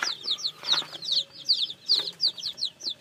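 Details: Newly hatched chicks cheeping rapidly, loud high notes sweeping downward, roughly two or three per second in pulsing bursts, nearly all the sound sits in the shrill upper range.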